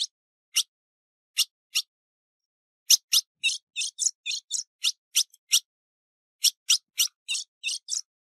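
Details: Ultramarine grosbeak female in breeding condition calling, recorded 15 June 2019: a few scattered chips, then a lively run of buzzy, high chattering notes, a pause, and another quick series. Quiet surroundings.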